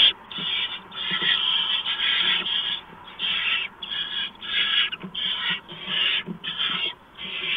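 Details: Barn owls at a nest at night during a mouse delivery, March 2015: rapid series of rasping, hissing screeches, each under a second, packed closely together with brief pauses, some overlapping, light scratching in the background.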